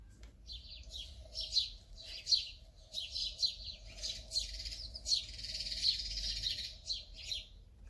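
House sparrow chirping: bright, scratchy chirps repeated roughly once a second in an uneven run, over a faint low hum.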